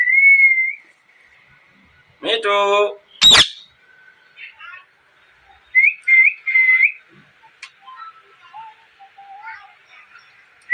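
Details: Loud ringneck parrot: a clear whistle, a harsh harmonic squawk and a sharp shriek, then a cluster of short chirpy whistles and softer low warbles.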